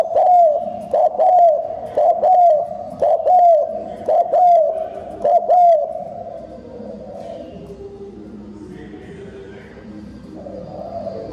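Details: Spotted dove song used as a decoy to stir up wild doves, fast cooing: low mellow coos, each ending in a slightly falling slur, repeated about once a second for six seconds, then fainter background cooing.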